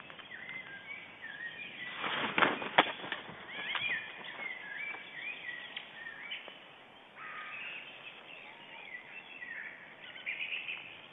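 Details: White-tailed eagles at an Estonian nest camera, 9 April 2010 at 06:57, during a shift change at the nest, giving a rapid series of yelping, chattering calls that rise and fall, with a loud burst and a short pause before resuming.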